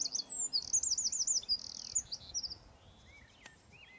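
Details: Eurasian wren song, a fast run of high, tumbling trilled notes and a buzzy rattle lasting about two and a half seconds, then fading to quiet with distant thin calls.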